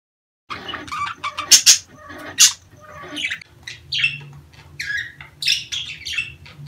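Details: Breeding-season budgerigar calls, meant to encourage hens to breed and lay: scattered sharp chirps and squeaky notes with brief louder squawks, a low steady hum underneath.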